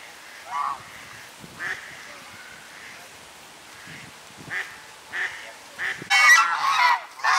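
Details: Swan geese, also called Chinese geese, a flock fed daily by locals in November 2021, give scattered short nasal honks, quiet at first, then a loud burst of overlapping calls near the end.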